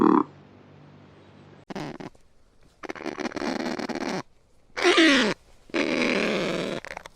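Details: Kakapo (Strigops habroptilus) uttering rough rasping calls and one sharp squawk with descending tones, spread over several seconds with quiet gaps.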